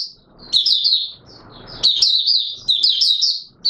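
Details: Captive Oriental white-eye (Zosterops palpebrosus) opening into song, recorded 24 March 2022, in quick bursts of high, thin, tumbling, jittery twittering phrases with brief pauses between, over faint room noise.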